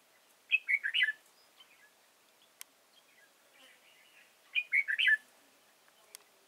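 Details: Red-whiskered bulbul serving as a trapping decoy at Chùa Hương, Vietnam, on 31 March 2018, gives two lively burbling phrases about four seconds apart, each a rapid cluster of slurred whistles, with soft chatter and clicks between.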